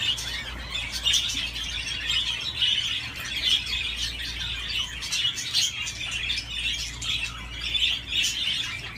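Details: Playing on its swing, a budgerigar chatters steadily in a rough, buzzy warble sprinkled with clicks and thin squeaks, over a faint low hum.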